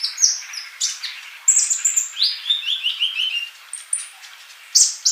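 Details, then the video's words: Olive-backed sunbird male singing actively, a model for silent young birds to learn from: thin high notes, then a run of quick descending twittered phrases stepping downward, ending in bright high chirps. "Kolibri Ninja Jantan Gacor buat masteran yang masih bisu"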